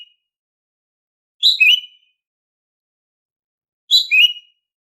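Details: Female green leafbird giving her daily call, used to prompt silent males to sing: two short phrases about two and a half seconds apart, each a bright chattering burst dropping into a clear whistled slur, in silence.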